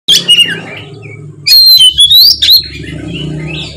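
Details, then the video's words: Oriental magpie-robin song used as a lure to draw a reply: loud, clear whistled phrases sliding up and down, with sharp high notes and brief gaps between bursts, over a low steady hum. "suara kacer gacor ngeplong pancingan kacer drop trotol seketika nyaut gacor"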